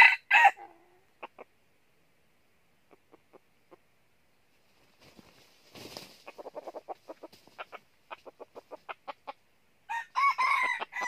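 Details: In northern Vietnam, during junglefowl trapping with a wing-flapping decoy bird, a red junglefowl crows hoarsely at the start and end, with a rapid run of dry clapping wingbeats in between.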